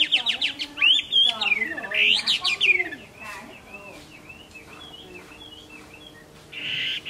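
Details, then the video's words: Chinese hwamei singing in the late afternoon of 15 April 2024. Loud, sweeping slurred whistles rise and fall for about three seconds, then give way to softer, quieter rising notes, with a brief noisy burst at the end. "Họa mi mơ hót vui chiều muộn 15-4-2024"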